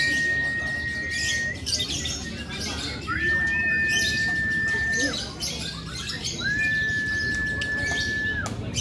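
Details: Lovebird competing in the fighter session of a singing contest at a national gathering near Borobudur: three long, level, high sustained notes, each about one and a half to two seconds, over steady crowd chatter.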